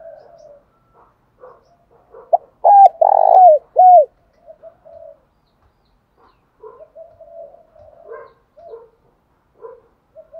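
A spotted dove gives a loud, hoarse burst of low cooing, followed by softer coos repeated at an uneven pace.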